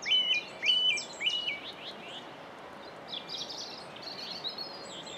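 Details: A Common Whitethroat (Curruca communis) sings at Saltersford Locks on 8 May 2013: a brisk, scratchy warble of quick high notes, loudest in the first two seconds, then softer chattering phrases over a steady outdoor hiss.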